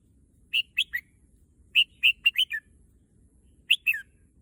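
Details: Red-whiskered bulbul in a cage, wanting to visit the competition field, delivers quick clusters of loud liquid whistles, a rapid five-note run in the middle and a falling two-note ending, with no other sounds.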